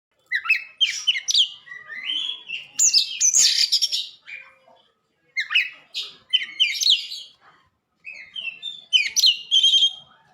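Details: White-rumped shama in song, a recording meant for training caged birds: loud bursts of rich whistles, slurred and chattering notes in three phrases separated by short pauses.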